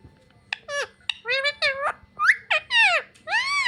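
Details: Talking pet parrot, known for "mummy papa", babbles a run of voice-like syllables that slide down and arch, growing louder toward the end, over a steady low indoor hum.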